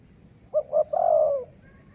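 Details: A single dove coo phrase heard at a decoy-luring session. Two brief notes lead into a drawn-out, gently falling coo over quiet background hiss.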